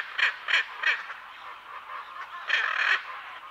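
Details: {'text': 'Three sharp, hoarse squawks in quick succession, a pause filled by distant bird chatter, then two more longer rasping calls, from a pair of hyacinth macaws at close to medium range.'}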